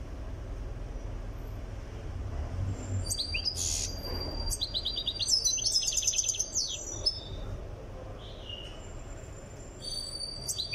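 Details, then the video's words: European goldfinch from Tiaret, Algeria, being readied for singing: a few scattered chirps, then a burst of rapid high twittering trills mid-way, tapering to sparse notes over a steady low hum. "تغريد مقنين تيارت"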